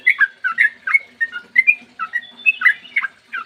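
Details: Sooty-headed bulbul singing a long, unbroken morning phrase, used to trigger song in other bulbuls; quick, bubbly whistles rising and dipping in pitch, delivered without pause.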